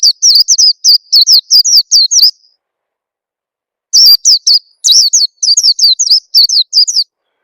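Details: Oriental white-eye lure call, played so that young newly caught birds start singing quickly; two bursts of rapid, high, thin descending chirps, about eight notes each, split by a pause of over a second.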